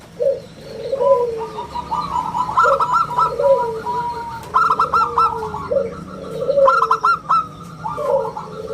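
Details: Local zebra dove in full voice, a round 'bulat' style song used as a lure for other birds: low mellow coos alternate with rapid bubbling, stuttered higher notes, phrases repeating every two seconds or so.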